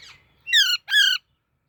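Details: Baby parrot giving two harsh, nasal squawks in quick succession, each about a third of a second long and slightly falling, after a faint higher note, in a quiet room.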